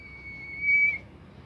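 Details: Single long, steady, pure whistle of a bimoli bird, loudest near its end, from a recording said to make other bimoli birds join in singing; soft background hiss.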